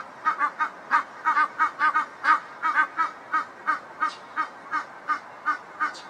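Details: A pair of Egyptian geese in a backyard give a rapid run of harsh, honking notes, about three per second, in an uneven chattering series that fades toward the end.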